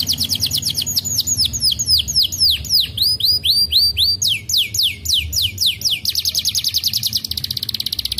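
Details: Canary song played to prompt a lazy canary to sing: rapid trills of repeated down-slurred notes high in pitch, shifting through several phrase types from slower sweeping notes to a fast buzzy trill at the end.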